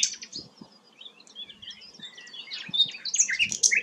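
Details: Flycatcher called sikatan londo, singing actively, valued by songbird keepers for its melodious voice. Scattered short whistles and twitters grow into a denser burst of sharp high chirps near the end.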